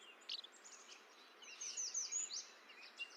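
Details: Least Flycatcher singing its sharp, snappy che-bek song, which it sometimes gives in migration: quick high two-part notes repeated several times in quick bursts, over faint background hiss.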